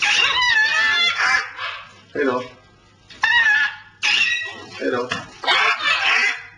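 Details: Pet parrots vocalising indoors: loud bursts of harsh, buzzy squawks mixed with chattering, whistled harmonic notes. They come in several outbursts separated by short pauses.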